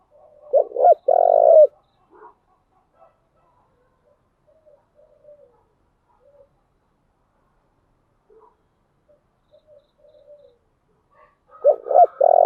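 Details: Spotted dove cooing as a decoy to attract wild doves. Loud low coo bursts at the start and again near the end, with soft scattered coo fragments in the long quiet stretch between.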